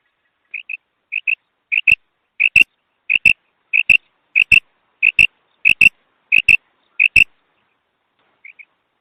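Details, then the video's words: Female quail call used to draw quail for hunting: about thirteen sharp high double notes, repeated every 0.6 seconds, each later pair with a hard click, ending with one faint pair after a pause. "Special female quail sound for hunt | Madi ki mast awaz kirk | شکار کے لیے زبردست مادی بیٹری کی آواز"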